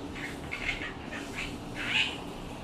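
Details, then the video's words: Myna gives a quick run of five or six harsh, squeaky notes in under three seconds, ending on a louder, higher squeal, over a faint low hum. "mynah bird sound"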